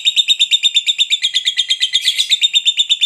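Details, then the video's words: High, rapid ngekek trill of a fighter lovebird meant to goad rivals: regular, bright chattering notes repeated several times a second in a steady, unbroken run. "SUARA BURUNG LOVEBIRD NGEKEK PANJANG, JITU BANGET PANCING EMOSI LAWAN"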